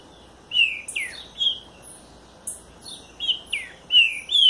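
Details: Song of a southern green-winged saltator: a series of bright whistled notes, some sweeping downward, others rising, given in quick succession with high faint chips overhead.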